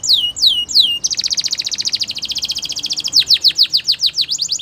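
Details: Morning song from a female Belgian canary: three drooping slurred notes, a long fast rattling trill of about a dozen notes per second, then strong repeated downslurs and short upswept notes.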